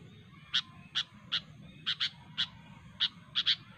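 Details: Wild sooty-headed bulbul calling out rivals with sharp voice: a string of about ten short, piercing notes, some doubled, at roughly three-per-second pace, low hum underneath.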